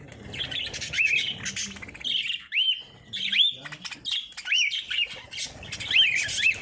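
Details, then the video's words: Lovebirds, breeding. Loud, piercing chirps with short arched whistled notes come every second or so, mixed with fast, scratchy twitters. "Love Birds Singing"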